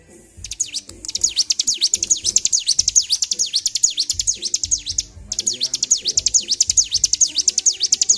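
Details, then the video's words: Bar-winged prinia kept caged, highly agitated and singing without stopping (ngedur), 26 February 2023: long runs of loud, sharp V-shaped chips, about two to three per second, with one brief break midway; dull low thuds beneath. "CIBLEK GACOR || PANCING EMOSI BURUNG CIBLEK"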